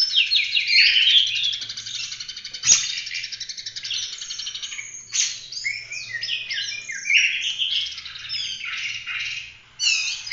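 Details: Oriental magpie-robin, vigorous 'gacor' full roll tembak song fit for masteran training of other birds: a long, crowded stream of fast trills, chirps and twisting whistles with one sharp click.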